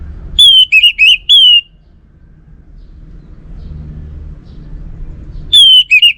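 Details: Orange-headed thrush singing: a rich phrase of slurred, descending whistles with quick notes in between, a long pause with low rumble, then the phrase begins again.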